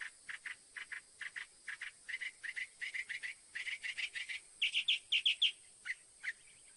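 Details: Northern mockingbird song: a long run of short, evenly spaced chirps at a middle pitch, shifting toward the end to a few louder, higher, buzzier notes and then two single chirps.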